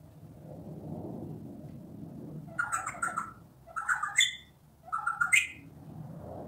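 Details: Wild Australian magpie in Australia, carolling in three short bursts of rich warbled, yodelling notes with harmonics, each about half a second long, spaced a second apart over a low background hum.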